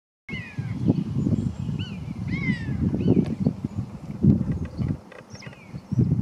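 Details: A recently fledged young Common Buzzard flies as its parents give louder mewing calls, high, drawn-out and down-slurred, several in a few seconds, calling it away, over a strong low rumble of wind.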